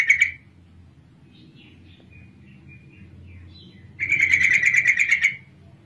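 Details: Lure call of a female yellow-vented bulbul meant to set males singing: a short chattering burst, soft thin high twitters, then a longer rapid, harsh, buzzy chatter of about fifteen quick notes.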